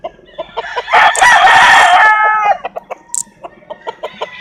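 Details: A loud, sustained rooster crow of about a second and a half dominates, surrounded by rhythmic short clucks repeated steadily before and after.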